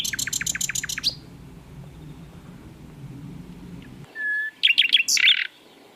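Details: Asian brown flycatcher, prolific singing on a training track: a rapid buzzy chattering burst for one second, low background hum, then after an abrupt cut a short flat whistle and sharp high notes.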